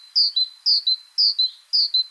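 Great Tit song: a bright two-note phrase, higher note then lower, repeated four times at about one phrase every half second.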